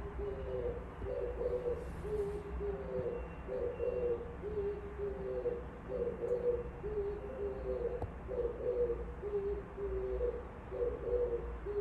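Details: Oriental turtle dove singing outside a window: low, husky cooing phrases repeated steadily, alternating slightly higher and lower notes in a hoarse rhythmic series, over a constant low background rumble.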